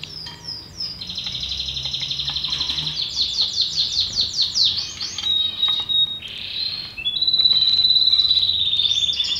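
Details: Belgian canary song, loud and clear: a fast series of repeated buzzy trilled notes, then a sharp whistle, a rolling burst and a long sustained steady trill near the end, over faint low hum.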